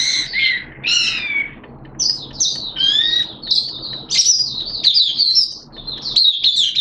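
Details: Hobby-kept Oriental white-eye in song on a wet, erratic-weather day, September 2022: bright, high, slurred whistles and rapid twittered phrases, loud and continuous with brief pauses.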